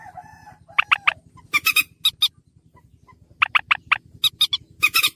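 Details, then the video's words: Harsh calls of a slaty-breasted rail (mandar batu) for luring: a faint whine, then short rasping notes in groups of three to four, repeated bursts with short gaps, low hum throughout. "burung mandar batu"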